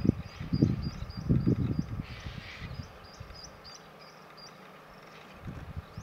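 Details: Large numbers of white-backed vultures, with a few larger Cape vultures, squabbling over a recently dead elephant in northern Kruger National Park. Harsh, low grunting and hissing bursts fill the first two seconds, with repeated high chirps from another bird behind.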